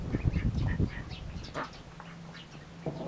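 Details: Mallard ducklings eating hungrily: a burst of low dabbling and splashing noises opens, then a few high thin peeps follow against a steady low hum.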